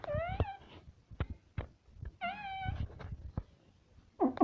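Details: Talking parrot kept indoors produces two drawn-out, voice-like harmonic calls that bend slightly upward, separated by sharp clicks, then a short loud burst at the end.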